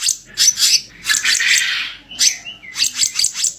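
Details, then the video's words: Bar-winged Flycatcher-shrike harsh song as a training recording. Loud, scratchy chattering bursts are interspersed with brief clear whistled slurs. "MASTERAN KICAU KASAR KICAP RANTING"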